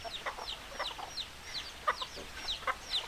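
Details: Several chickens cluck in short, uneven bursts, with a couple of sharper, louder clucks near the end and frequent high, thin, downward-sliding peeps overlapping.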